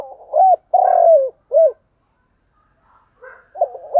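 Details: Spotted dove giving a thúc gù call: a short low note, a rising hooked coo, a long rolling buzzy coo that falls at the end, then a brief closing hoot. A second phrase starts near the end.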